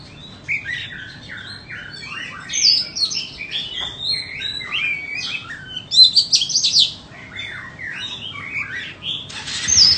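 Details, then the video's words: White-rumped shama being sold, singing softly with varied short whistled notes and twitters, broken by a couple of louder, fast, high chattering bursts. "Chích choè than bông"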